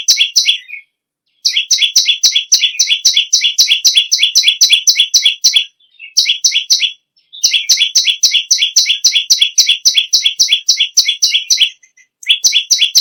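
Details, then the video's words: Bar-winged prinia singing energetically, a favoured tutor bird for other songbirds. Long bursts of rapid, high, buzzy chirps, roughly four per second, break off with short silences and then start again. "BURUNG PERENJAK BAWAH/LUMUT GACOR NGAMUK PARAH"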